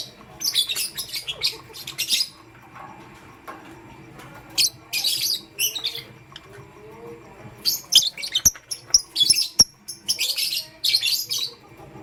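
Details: Lovebirds, pastel gray and green pets, chattering in the morning: dense runs of harsh, high, squeaky chirps and squawks in repeated bursts, with a few sharp clicks.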